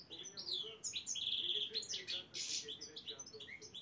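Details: Black-headed European goldfinch singing at qualifying rounds of a Saint Petersburg song contest: dense twittering with a sustained buzzy note, sweeping whistles and rapid chirps, a faint low hum beneath.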